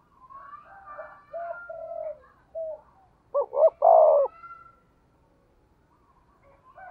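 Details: Spotted dove calling in the deep 'thunder' voice style, played as a lure to stir wild doves. Soft low coos open, then a loud coo of two quick rising notes and a long falling note, with faint background cooing.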